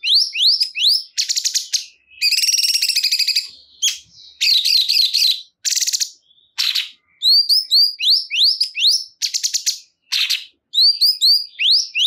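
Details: Sooty-headed bulbul (cungkok) delivering a busy song of sharp rising whistles, rattling buzzy bursts and warbled loops, phrases tumbling one after another over twelve seconds.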